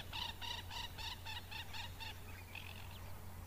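An African jacana gives a quick run of about eight harsh, nasal notes, roughly four per second, then a few fainter ones, over a steady low hum.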